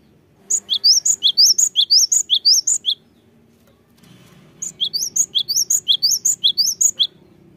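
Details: A cinereous tit recording used as a lure to rouse reluctant tits into singing. It gives bright, ringing two-note phrases, rapid and repeated in two bursts with a short pause between.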